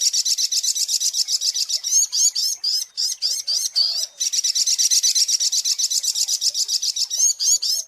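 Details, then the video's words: Lure recording of a sunbird: unbroken, very high, thin trill of quick repeated pulses, about four per second, with slight upward-flicking notes woven through. "SUARA PIKAT mp3 BURUNG SOGOK ONTONG"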